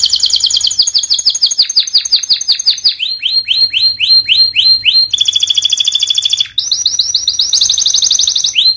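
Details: Canary song for training quiet birds to sing. It moves through varied phrases: fast downward-sweeping notes, a smooth run of repeated slurred whistles, a sustained ringing trill, then more quick rattling trills.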